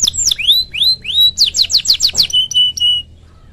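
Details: Domestic canary in lively gacor form, singing the long cuit cuit style used to stimulate other canaries. The song is loud and clear: rising whistled sweeps, then a fast run of sharp repeated notes, ending in a steady held whistle.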